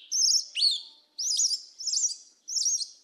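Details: Yellow-legged thrush, a black bird, singing in the southern forest style called 'mateiro do sul': four short bursts of high, warbled, wavering whistles with sharp upslurs, separated by brief pauses, in a clean recording with no other sounds.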